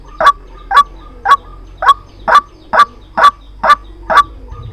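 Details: Recording of a white-breasted waterhen used as a trapping lure, with nine abrupt, harsh notes repeated at an even pace of roughly two per second against quiet low background noise.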